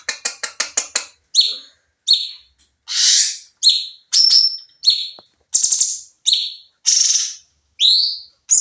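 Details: Sooty-headed bulbul singing fast for training: opens with a quick ticking series of six clicks, then alternating harsh buzzy notes and short rising slurred whistles, roughly one every half second.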